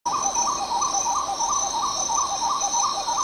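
Spot-winged Wood-Quail giving low, mellow, rolling notes about three times a second, over a steady high insect drone.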